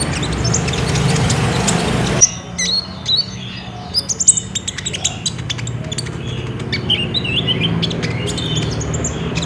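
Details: Olive-backed sunbird in active trotol-style song, used to prompt a caged sunbird to sing. After a brief noisy start, a rapid series of very high, crisp chips and short slurred whistles runs unevenly.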